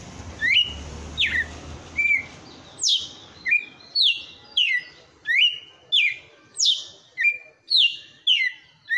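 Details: Red-cowled cardinal owned by a bird keeper, singing the forceful 'açoite' song: a fast, lively run of bright descending whistles, about sixteen notes in nine seconds, growing louder after the first few.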